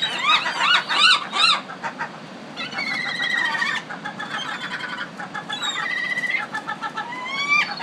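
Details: A burst of loud, rapid, arching gull yelps opens, followed by longer level wailing cries from other Pacific city gulls calling over one another.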